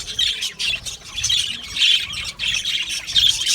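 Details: Captive budgies in a colony aviary make bursts of high chirps and squawks with short, whistled notes, pulsing in waves about every half second.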